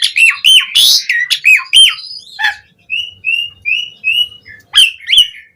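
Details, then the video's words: Asian pied starling singing as a lure for other starlings: repeated upslurred whistles, a short harsh burst, then a series of clear level whistled notes and two final rising whistles. "Pancingan Suara Jalak Suren Gacor POWER FULL Variasi Isian Buat Masteran Burung Jalak Agar Cpt Gacor"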